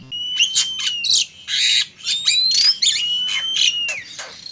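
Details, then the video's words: Oriental magpie-robin song, male and female, used to lure birds: rapid bursts of rasping, buzzy notes laid over long, steady, high whistles, running almost continuously. "SUARA PANCINGAN PIKAT BURUNG KACER JANTAN DAN BETINA GACOR"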